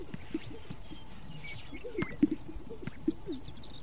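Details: Greater sage-grouse strutting in courtship display at the lek: scattered low, hollow pops and gulps at irregular intervals, several close together around the middle, over a steady background hum.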